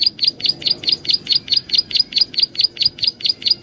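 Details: Prinia call meant as a lure: roughly sixteen high, sharp chirps repeated briskly and evenly, about four per second, with faint background noise.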